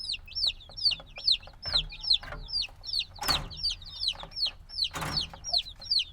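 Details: A few days after hatching, black chicks call loudly for warmth: clear, high, hooked peeps repeated at an even beat of about two and a half per second, with two brief thumps.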